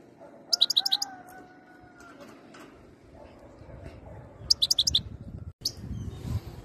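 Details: Goldfinch said to be ready to mate: two short clusters of quick high chirps against background noise, with a faint steady whistle from another sound source early on.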